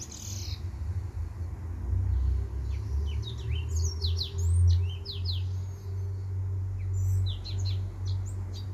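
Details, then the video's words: Male white tip finch delivering his song: scattered high chirps that build into dense clusters of sharp, slurred notes midway and again near the end, against a low steady hum. "White Tip Finch"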